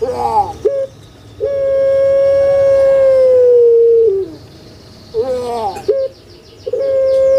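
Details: Kept puter pelung dove cooing to encourage reluctant birds: a wavering opener, then a long even coo of nearly three seconds ending in a drop, followed by gurgling notes and the start of another coo.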